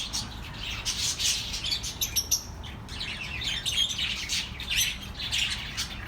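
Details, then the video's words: Chattering of several pet birds, meant to soothe lonely caged birds: continuous busy twittering with bursts of sharp, scratchy chirps and a few brief whistled notes, all over a faint low background rumble. "The best relaxing birds sounds for your lonely birds"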